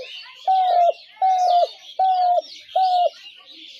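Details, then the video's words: Spotted dove calling as a lure for dove traps: four steady, flat coos of equal length repeated about every three-quarters of a second, over busy high twittering of small birds. "ঘুঘু পাখির ডাক/Dove bird calls"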